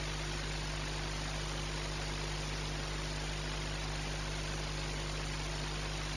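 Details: Loud, unchanging electronic hiss with a steady low hum throughout, and no animal sound.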